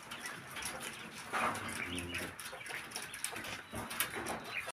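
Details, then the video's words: Male quail giving a short, harsh, raspy call with a nasal edge, over a steady background hiss and light clatter. "Male Quail"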